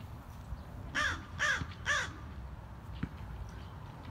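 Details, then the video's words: A noisy black crow, at first mistaken for a hawk, gives three loud, harsh, hoarse caws about half a second apart, then falls quiet against a low background rumble with a faint click. "Such a noisy black bird, i thought it's hawk.... crow pala"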